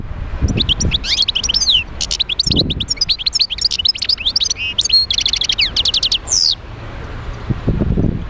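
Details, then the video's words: European goldfinch singing to stimulate other goldfinches: rapid, liquid twitters and tinkling trills delivered continuously for over six seconds, with occasional low thuds underneath. "تحفيز طيور الحسون على تغريد"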